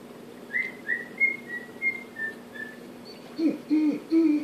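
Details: Male pet cockatiel whistles seven short notes of the Andy Griffith song, followed by louder, lower harmonic tones at the end.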